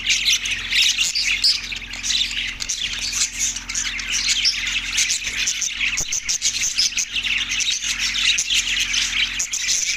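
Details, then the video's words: Many budgies chirping and squawking nonstop, a loud dense chatter of harsh and warbled notes filling the whole stretch, over a low steady hum. "budgies chirping sound effect"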